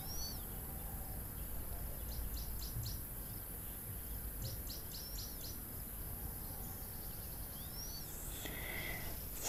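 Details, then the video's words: A reference recording of a very unusual Cape Teal call is played at an African waterhole: thin, high, down-slurred whistles and brief bursts of quick ticking notes, faint over a steady low rumble of outdoor noise. "This is a very unusual call of the Cape Teal."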